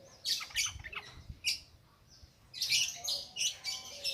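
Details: Yellow-vented bulbul in the ngropel ngalas singing style, used to prompt newly caught birds; harsh, squawky chirps in two bursts separated by a quieter gap.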